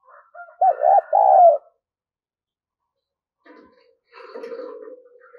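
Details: Decoy spotted dove cooing to call wild doves: a single low, rolling coo phrase of quick notes ending in two drawn-out hoots, followed by silence and then faint indistinct background sound.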